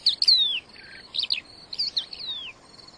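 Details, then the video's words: Crested lark singing in the wild, lively and persistent: bright, varied whistled phrases, sweeping downward slurs and quick warbled clusters, broken by brief pauses and joined by a thin steady high tone beneath. "crested lark liar gacor"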